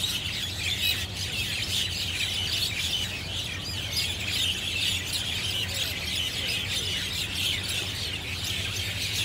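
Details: Javan or Jungle mynas in a flock atop trees at Singapore's Marina Barrage rooftop, Sunday afternoon; loud, crowded chatter of shrill chirps and squawks from many birds, no pauses, steady low hum underneath.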